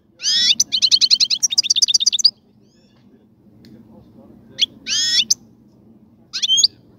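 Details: European goldfinch kept in a cage being readied for mating, delivering a fast run of rapid, evenly repeated twittering notes for two seconds, then two brief buzzy, tinkling phrases after a quiet gap; faint low background hum.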